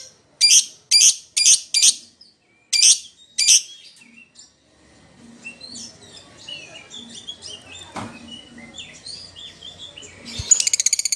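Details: A lovebird calls its companion in this lure sound: six loud, rasping chirps in quick pairs, followed by a long stretch of soft, varied twittering and a brief burst of fast chatter at the end.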